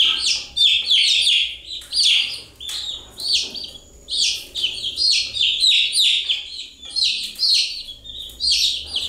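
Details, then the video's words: Several chicks keep up a steady chorus of shrill descending cheeps, the high notes tumbling over one another in rapid clusters with barely any quiet between them. "Continuous Chirping sound of Chicks"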